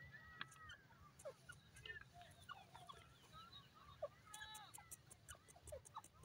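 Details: Grey francolin (teetar) calling: short whistled and clicking notes scattered through, then a quick burst of descending, harmonic-rich notes with sharp high ticks near the fourth second, over a steady low background hum.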